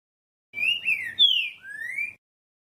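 Green-winged saltator giving one rich whistled phrase of three slurred notes: a level-then-falling whistle, a bright high downslur, then a rising whistle, all within two seconds.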